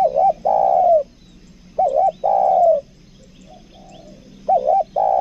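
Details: Decoy spotted dove with a two-note call, loud and close: a short quavering note joined to a long descending coo, three phrases roughly two seconds apart, the last cut off.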